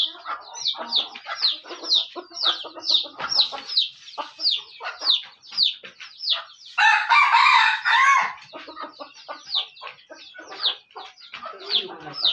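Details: Aceh decoy junglefowl with fast repeated high downslurred chirps throughout, interrupted by one strong, harsh crow of roughly a second in the middle.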